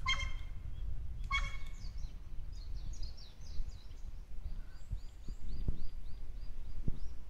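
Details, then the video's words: A wild crow on 15 July 2016 that has learned to mimic a neighbourhood dog's barking gives two harsh, dog-like barks about a second apart. It seemingly can no longer caw. Thin high small-bird chirps follow over low rumbling. "ワンワンワン！ カラスですが何か？ (犬のマネ)"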